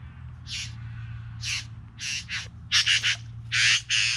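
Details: Bowerbirds, three together, make loud scratchy churring notes. Single rasps come first, then a fast run of close, grating bursts near the end, over a faint low background hum.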